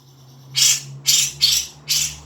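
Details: Four rasping, broadband bursts from a grey-cheeked bulbul, each short and coarse, spaced about half a second apart. Quiet background. The recording is played to prompt a caged bird to sing.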